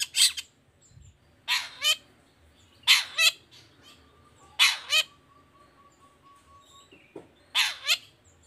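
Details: Actively singing long-tailed shrike, toet toet style, used to draw lazy shrikes into answering: loud rasping double notes repeated about every one and a half seconds, with a faint steady thin tone between them.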